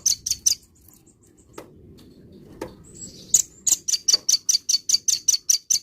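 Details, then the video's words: Velvet-fronted nuthatch in morning song, giving sharp high chip notes, a few at the start, then a steady series of about fourteen rapid, evenly spaced chips, over a quiet low hum. "burung rambatan gacor pagi hari"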